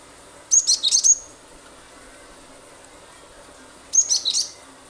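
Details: Cinereous tit lure song used to get other birds singing: two rapid phrases of piercing high whistles and twisting chirps, each about half a second long, separated by three seconds of faint hiss.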